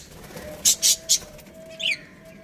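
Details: Pet budgerigar breeding pair: three quick bright chirps in a row, then a short pause and one downward-sliding chirp, over a quiet room with a faint steady hum.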